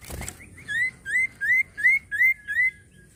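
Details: Common iora in full, persistent song: six clear whistled notes, each sliding upward, repeated about every third of a second, with a brief noisy burst at the start and a quiet background.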